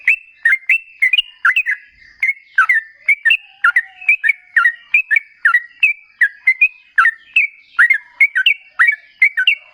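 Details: Sooty-headed bulbul singing energetically as a lure to draw replies from other bulbuls: clear, bubbly whistled phrases of two or three notes each, repeated steadily about every half second throughout.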